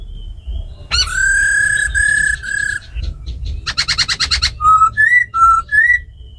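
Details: Tame laughingthrushes, a female's ro khẹt and a black laughingthrush's forest-style song, to provoke wild-caught birds. Three long sustained whistles, a harsh rapid rattle, then four short clear whistled notes.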